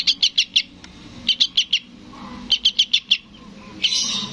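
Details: Sooty-headed bulbul nestling begging to its parent with tight clusters of four short, piercing chirps, repeated four times with gaps of about a second, ending in a soft hissing rustle.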